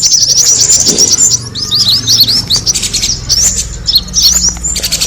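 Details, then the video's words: Lure call of the kemade bird, meant to draw other birds in: quick bursts of sharp, high-pitched twittering notes tumbling over one another, with a faint low hum beneath. "the sound of the kemade bird attracting noise"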